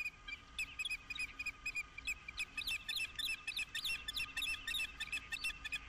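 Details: During mating on 11 April 2016 at Dunrovin Ranch, an osprey utters shrill, squeaky chirps that start spaced, then crowd into a dense, excited chatter toward the end, with light background hiss.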